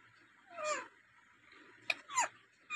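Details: Rose-ringed parakeet, a native talking bird with varied sounds, makes a drawn-out descending squawk, then a sharp click and two quick harsh calls near the end.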